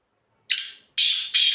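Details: Black francolin calling from the top of a rock: a loud, harsh grating phrase of three notes. The first is shorter with a thin whistled edge, followed by two rasping, broad notes in quick succession. The background is quiet.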